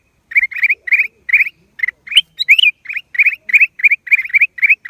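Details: Black-crested bulbul, a series of short, slurred chirps near the same pitch repeated rapidly several times a second, with a few higher squeaky notes mixed in midway; quiet background.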